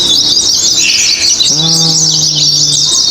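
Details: Singing-contest oriental white-eyes in Indonesia give a busy stream of thin, high chattering notes throughout, joined midway by a low, steady humming tone lasting over a second.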